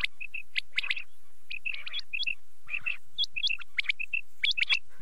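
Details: Night-time quail (batair) calls: short bright notes, often doubled, dropping into quick clusters with small pauses, several birds calling over one another against a quiet background.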